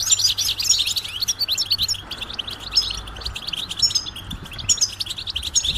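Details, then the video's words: Goldfinch calls of the mating and readiness type, meant to make a silent male sing: rapid, jangling twitters in quick bursts, loud at the start and end, softer in between, with a low faint hum beneath. "بتبتة الحسون علاج سكوت الحسون نذاءات التزاوج والتجهيز"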